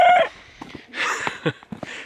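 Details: A young rooster on a NE homestead in its first winter gives a brief, loud, hoarse, half-hearted crow that breaks off quickly, still getting his lungs, one morning; the flock has too many roosters. Scattered knocks and rustling follow.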